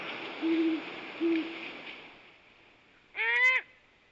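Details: Great horned owls in courtship: the male gives low, steady hoots, and the female answers with a harsher, meow-like rising-and-falling call, over a soft hiss.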